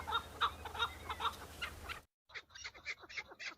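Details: Chukar partridge males fighting and displaying to females during the breeding season on Bamo mountain; rapid, uneven clucking notes, a short silent gap, then a fast burst of chuckles.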